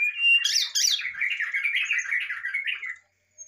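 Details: Brown-chested jungle flycatcher giving a varied fluting song to prompt a lazy bird to sing: a steady whistle, two sharp high notes, then a long fast warbling chatter wavering in pitch before stopping.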